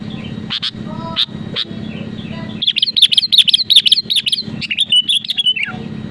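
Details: Sooty-headed bulbul singing to provoke rivals into song: a few short chirps, then a rapid run of bright, bubbly, repeated notes with high sharp accents, ending in a falling phrase. A low hum runs underneath.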